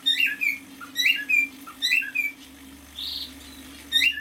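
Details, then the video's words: Half-year-old male cockatiel indoors whistling a phrase of quick chirps and slurred notes, repeated about once per second, then a soft rising whistle and a new phrase starting, over a constant low background hum. "Песенка КОРЕЛЛЫ-НИМФЫ №1."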